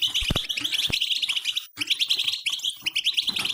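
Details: European goldfinch in a mating song, offered to stimulate shy or silent goldfinches: fast, high, tinkling twitters and buzzy chatter in dense rapid runs, with a brief break midway and a few low thumps.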